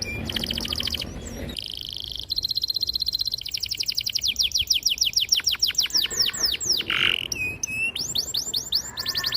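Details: Long-rolling, clear canary song for teaching young canaries: a high buzz, an even rapid trill, then a long run of quick sweeping notes that slow toward the end.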